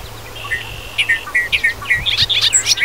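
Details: Bobolink in a Wisconsin grassland field giving a rapid, bubbling and gurgling phrase of jumbled notes that rises toward high tinkling tones over nearly three seconds, with faint low background hum.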